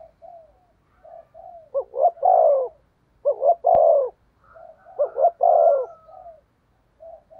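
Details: Spotted dove kept as a decoy bird to lure wild doves, giving loud repeated cooing: a short double note followed by a long burring coo, phrases separated by pauses, with softer coos and a faint sharp click between.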